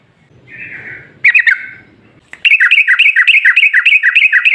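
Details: A soft hum, then a short bubbly phrase, then a loud rapid run of rhythmic warbled notes from a sooty-headed bulbul in vigorous rolling song, played to make other bulbuls answer.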